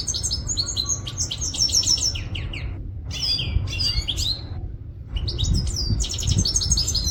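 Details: European goldfinch singing in Quetta: lively liquid twittering with quick trills and downslurred whistles, delivered in bursts separated by two brief silences, over a constant low-pitched hum.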